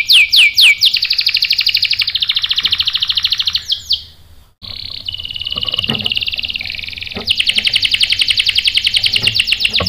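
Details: Canary singing as a lure so other canaries reply with rolling song: rapid high trills, a brief pause, then sustained buzzy rolls resuming with fast repeated notes.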